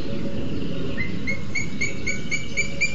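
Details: Booted eagle pair at a webcammed nest in Sierra de Guadarrama National Park, Spain; female incubating two eggs as the male arrives with a lizard. A series of sharp, high whistled notes begins after a second, repeated about four per second over low rumbling background noise.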